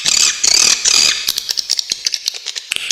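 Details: Swiftlet tutor recording for songbirds: about a second of high, buzzy, rasping chatter, followed by a series of dry, rapid clicks at irregular intervals.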